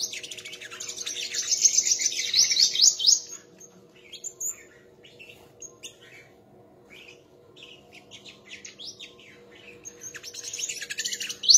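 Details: Sunbird in a song contest: a loud buzzy trill of fast high notes opens, then scattered thin chirps, and another rapid trill bursts at the end.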